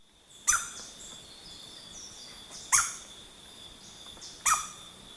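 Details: Stresemann's Bristlefront (Merulaxis stresemanni), a critically endangered and possibly extinct ground-nesting songbird: three sharp, loud notes dropping steeply in pitch, about two seconds apart, over a steady high insect whine.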